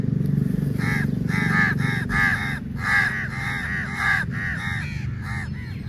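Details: Crows swarming food at feeding time, a very large number present; rapid overlapping harsh caws, roughly a dozen in under six seconds, some doubled, with a constant low rumble beneath.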